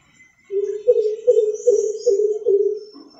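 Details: Greater coucal, or crow pheasant, calling amid city noise: a deep, resonant hooting series of about six low notes in a steady run lasting two and a half seconds, with faint high bird chirps in the background.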